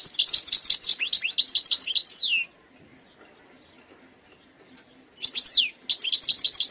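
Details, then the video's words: A wild goldfinch, sung in khalwi style, pours out a fast chain of sparkling twittered notes ending in downslurs, pauses almost three seconds, then returns with a sharp sweep and more rapid twitters. "chant chardonneret sauvage khalwi حسون goldfinch jilguero تغريد مقنين خلوي"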